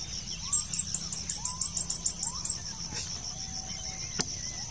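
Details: Blue-crowned hanging parrot during a luring session: a quick series of about eleven piercing high notes, then quiet with soft, lower whistled chirps from other birds and a single sharp click.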